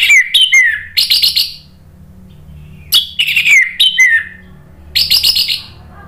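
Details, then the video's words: Orange-headed thrush song meant to draw replies from other birds: loud whistled phrases with falling slurs and scratchy chattering notes, repeated in three bursts about two seconds apart, with a faint low hum. "SUARA ANIS MERAH bikin EMOSI jadi NRATAK NYAUT NGEPLONG ¦ PANCINGAN AM"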